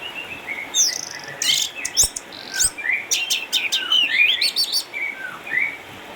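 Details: Caged eight-year-old orange-headed thrush, a former defending champion in Sukabumi, now kept at home because of cataracts yet still singing vigorously. It gives a rich, fast run of varied whistled, chirping and trilled phrases in loud bursts with brief pauses.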